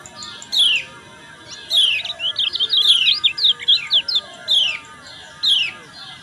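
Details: Lemon-bellied white-eye female chirps with a burst of ngejos, meant to stimulate males to sing in the morning: downward chirps interrupted by a quick twittering string of short high notes, then chirps resume.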